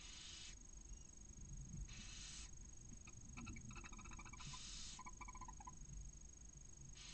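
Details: Barn owl nest interior, Cabañeros National Park: a newly hatched chick, a male delivering a mouse, a female nibbling the prey. Long rasping hisses recur every two seconds or so, with quick bursts of dry clicking in between.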